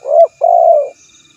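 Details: Spotted dove call for luring a rival: a rising coo then a long steady low coo, close and loud in a quiet place.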